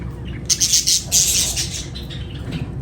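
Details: Loud, piercing chirps from lovebirds, rapid high notes packed into two close bursts within a second, then fading to a quieter hum.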